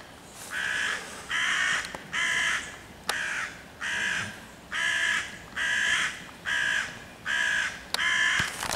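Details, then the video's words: Persistent hooded crow mobbing five young raccoons in a tree on 11 June 2023, cawing loudly to chase the predators and rally other crows; a steady series of about eleven harsh caws, roughly one every 0.7 seconds. "wrona która ich prześladuje w sąsiedztwie"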